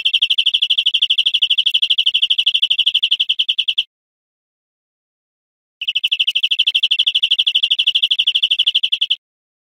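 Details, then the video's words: Greenfinch singing on a teaching recording of wild bird song: two long, steady, high trills of fast repeated notes, each lasting almost four seconds and separated by a two-second silence. "Canto Verderon cd educador"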